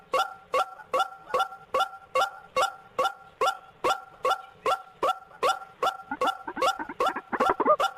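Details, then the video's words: Lure recording of white-breasted waterhen used for trapping: steady, harsh, nasal notes repeated about two or three times a second. The calls grow denser and more overlapping, rougher and louder toward the end. "PIKAT RUAK RUAK paling LENGKET"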